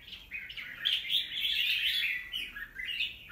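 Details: Fast chattering song from a wild-caught young red-whiskered bulbul, recorded 25 December 2023: quick twittering notes tumble together into one rising and falling warble lasting a few seconds.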